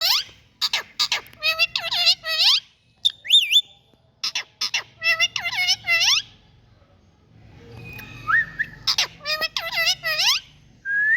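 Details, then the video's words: Indian ringneck parakeet, a green parrot, giving loud harmonic squawks and chattering notes, sharp clicks between bursts, with a rising whistled phrase near the middle and a low hum in the background. "New Parrot⚘️Indian Best Bird Sounds"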